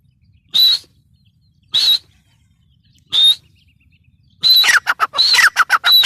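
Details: Grey francolin giving three separate high, thin whistled notes about a second apart, then breaking into a dense burst of harsh, clipped notes mixed with further whistles.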